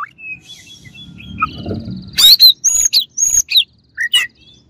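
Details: White-rumped shama song: a thin high whistle and soft low rumbling background, then a run of loud separate chirps and whistled notes in quick succession.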